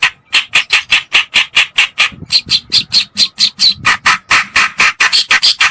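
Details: Reed warbler (kerakbasi, white-browed or black-browed, called cikrok) lure sound used to attract birds: a fast run of harsh, rasping chack notes, about two per second, with a faint steady tone underneath throughout.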